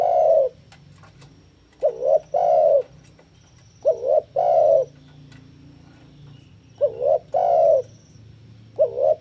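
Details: Breeding spotted dove calling to challenge a rival, giving repeated low coos, each a quick two-part note then a drawn-out purring coo, spaced about two seconds apart with faint background hum.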